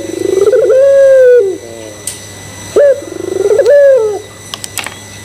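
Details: Barbary dove (puter pelung) cooing, played to provoke other doves to coo along: stuttering pulses build into a long sustained coo, a pause, then a second stuttered, drawn-out coo, with faint clicks at the end.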